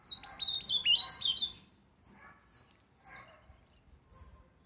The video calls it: Azulão soltando uns cantos